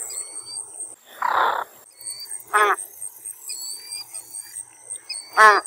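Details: American white ibis uttering two short, hoarse honks about three seconds apart, preceded by a brief rushing burst, with faint whistled notes of other birds and a constant high hiss behind.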